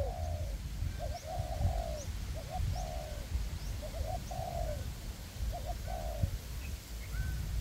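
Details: Spotted dove decoys working in a windy forest to draw in a wild dove for trapping. Paired short coos followed by falling rolled notes repeat about every second and a half, fairly distant beneath heavy wind rumble.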